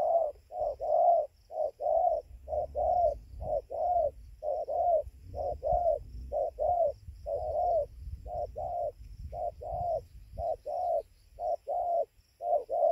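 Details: Wild spotted dove lured at its roost tree at 5:20 at dawn, Gia Lai, Vietnam, 24 November 2020, very aggressive. It gives steady low mellow coos in short-long pairs, about one note a second, repeated without pause.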